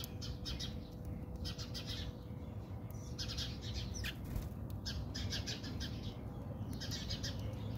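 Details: Backyard in South Africa where house sparrows are fighting: bursts of busy, high-pitched chattering chirps, several birds overlapping in clustered runs, over a constant low rumble and hum.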